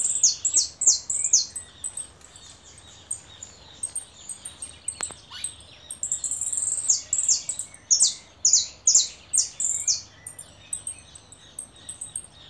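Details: High-pitched chirps from a caller goldfinch, delivered in a long uneven series of bright twittering phrases, loud clustered notes repeating every half second or so, with a few lower clicks and steady faint background hiss.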